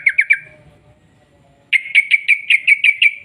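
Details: Yellow-vented bulbul (trucuk) in lively long rolling 'ropel' song, used as a lure to get other bulbuls singing: three quick bright chirps, a pause of over a second, then a fast run of about nine clipped notes.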